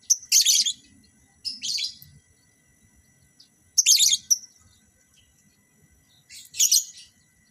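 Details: Caged lovebirds being paired for mating in a breeding setup: four loud, harsh, shrill screeching bursts, each under half a second, separated by pauses of one to two seconds, with a faint low hum beneath.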